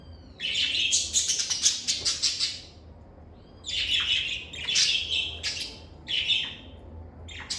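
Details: Lovebirds kept as pets chatter loudly in dense runs of shrill, rasping notes, with one long burst lasting over two seconds followed by shorter squeaky outbursts.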